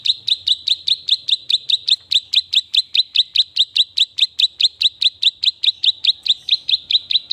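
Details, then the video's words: Hand-raised klik-klik bird, kept since it was hand-fed, giving a long, steady series of sharp high clicking chips, about two and a half per second, very even and unbroken. "burung klik klik gacor rawatan dari masih loloh"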